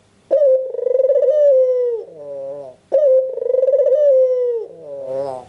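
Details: Two long trilling coos from a white, red-eyed albino Barbary dove used to prompt lazy doves to call, each starting abruptly, holding a steady vibrating tone, then dropping and fading into a quieter breathy tail.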